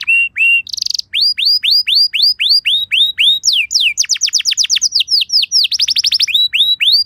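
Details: Canary pancingan song, played to get other canaries to respond, with a short buzzy burst followed by evenly repeated rising whistled notes, then very fast down-slurred trills and more repeated upswept notes.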